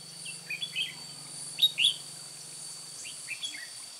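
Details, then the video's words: Red-whiskered bulbul, a decoy bird used to trap others, Hòa Bình, 10 May 2017: bright whistled chirping phrases in three short bursts over a steady high insect hiss, with a low hum through the first three seconds. "Bẫy chào mào Cánh ruồi Hòa Bình hầu bò mào lân"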